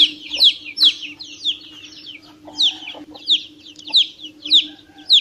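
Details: Chick of a domestic chicken giving about nine high, falling peeps at an irregular rhythm, some doubled and some spaced apart, with a faint low hum underneath.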